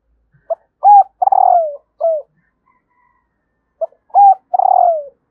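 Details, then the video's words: Female spotted dove calling to stimulate males: a short grouped coo of a brief note, a rising hooted coo and a longer falling purr, the phrase repeated after about three seconds, clean with no background sound. "Tiếng cu mái kích trống// CU GÁY MÁI KÍCH TRỐNG HAY NHẤT"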